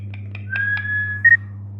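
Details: Pet ringneck parrot, a talking rose-ringed parakeet, gives a few short clicks then a long level whistle ending in a brief higher note, with a steady low electrical hum behind.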